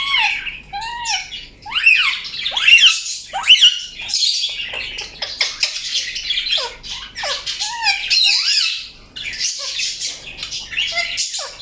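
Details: Loud Indian ringneck parakeet chatter, rough squawks mixed with arched, whistled chirps recurring roughly every second, steady energetic calling across the whole stretch.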